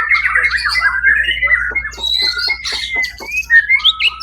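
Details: White-rumped shama singing at a songbird contest on 1 October 2023, where it took first place: quick whistled phrases and short rising notes, then a run of clipped chips, with a steady low hum underneath.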